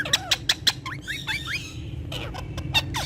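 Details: Talking Indian ringneck parakeets with Urdu and Hindi words. Four quick clicks lead into rising chirped glides and a softer, scratchy warble, with low music underneath.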